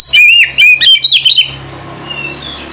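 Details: Oriental magpie-robin, known locally as kacer, calling its companion: a quick run of bright whistled and chirped notes in the first second and a half, then fading to a faint thin whistle with a low hum underneath.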